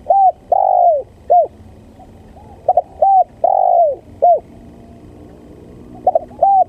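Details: Spotted dove lure recording for bird trapping: mellow, arched cooing notes in short phrases of two or three, mixing brief hoots with longer drawn-out coos, against a quiet background.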